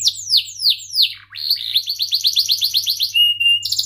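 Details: Canary singing in the gacor style to provoke rivals and teach young canaries: repeated descending cuit chirps, a deep downward swoop, a rapid series of short rising-falling notes, then a thin level whistle and a buzzy trill.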